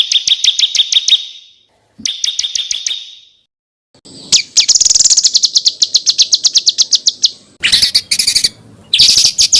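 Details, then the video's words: Small songbird from an Indonesian tutoring recording of harsh rapid-fire phrases: two fast buzzy trills, a pause, then a long rattling run of sharp repeated notes and loud chattering bursts. "SUARA BURUNG KECIL TEMBAKAN KASAR"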